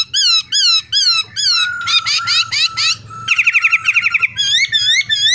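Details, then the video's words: Singing male laughingthrush with female calls, played each morning to rouse pet birds: repeated bright whistled slurs, a dense rapid chattering trill, then further clear whistled phrases over a low hum. "TIẾNG KHƯỚU TRỐNG HÓT + MÁI RÒ KÍCH BỔI CĂNG LỬA NHẤT"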